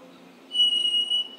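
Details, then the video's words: White-throated Sparrow song played back to a lecture audience: a single pure, steady whistled note held for under a second, then a slightly higher whistle begins as the clip ends, over a faint low room hum. "Okay, so that's the white-throated sparrow, and every time I hear it early in the morning, it just makes me feel happy"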